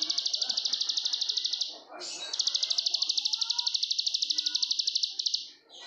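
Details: Ciblek sawah, the plain prinia of Indonesia, in continuous ngebren song: two extended runs of rapid, evenly pulsed, buzzy high notes separated by a brief dip, over quiet low background murmur.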